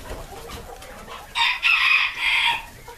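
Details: Breeder flock of Silver Spangled Appenzeller Spitzhauben chickens on a hatchery farm: soft background clucking, then a loud, harsh, high crow in three bursts across the last second and a half.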